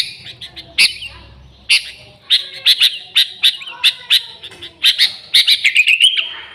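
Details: Sooty-headed bulbul used to draw in others of its kind: scattered chirps at first, then a quickening series of bright notes ending in a short rising whistle.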